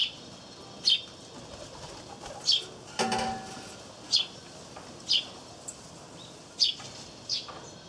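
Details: Eurasian tree sparrows chirp actively nearby while a great tit feeds at a wreath-shaped peanut feeder, 3 April 2013. Short, sharp chirps come roughly every second, with a brief wing flutter near the middle.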